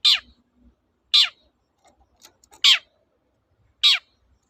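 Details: Long-tailed shrike, toet-toet material played to get silent shrikes singing: four harsh, rasping, steeply falling calls spaced about one to one and a half seconds apart, with near silence between.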